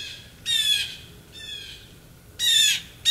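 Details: Several blue jays feeding in Maine, United States, December 2023, give loud, raspy, buzzy squawks: one strong call, a softer descending one, then another harsh call and the start of a fourth.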